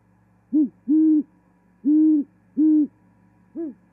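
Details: At a Charlo, Montana osprey nest in January 2021, a great horned owl sings as the female arrives to mate: short hoot, three long deep hoots, then a quieter short note.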